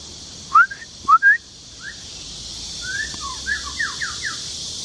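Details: White-rumped shama male singing at Luodishan Nature Park, Mituo, Kaohsiung, Taiwan, recorded June 2018: two loud rising whistled notes, softer slurred whistles, then a trailing series of descending notes, over a high insect hum.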